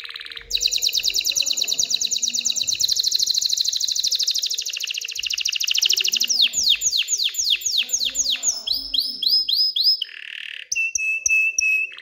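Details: Excited canary song to stimulate hens to mate and build a nest: a long rapid high trill, a series of sweeping descending whistles, then quick repeated bright notes, a low buzz and a final steady note run.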